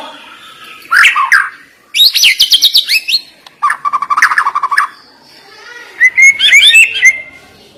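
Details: White-rumped shama (murai batu) singing a sharp, rich song fill in separate bursts: a buzzy falling phrase, a rapid run of high ringing notes, a dense low chatter, then bright rising whistles.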